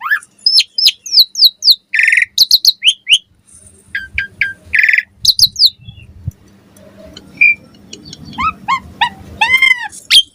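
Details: Asian pied starling in full, varied morning song, meant as a lure to set other starlings singing. Rapid whistled and chirped notes with a couple of dense buzzy bursts, then a quieter gap and a run of descending whistles.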